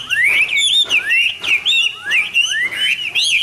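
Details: Hwamei singing each morning, with loud clear whistled phrases that swoop steeply upward and then twist and warble, repeated roughly every second in rich, melodious succession.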